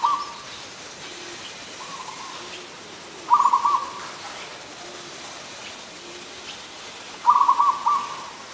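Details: Zebra dove, an adult, calling at Ubon Ratchathani, Thailand, on 24 December 2020; bubbly stuttering coo-trills about a second long come every four seconds, with softer lower coos faintly behind.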